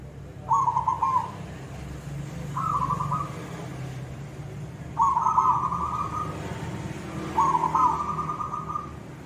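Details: Zebra dove of the silver type singing actively in the koong voice style: four cooing phrases, each a short rising note then a trill, held close to one pitch, spaced about two seconds apart over a faint low rumble.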